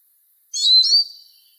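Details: A single Eurasian siskin phrase: a half-second burst of high, rapid twittering ending in a thin whistled tail.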